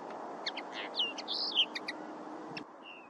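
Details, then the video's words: Common linnet singing a quick, varied jumble of twittering notes and short nasal trills, high-pitched and irregular, over a soft background hiss. "Common Linnet"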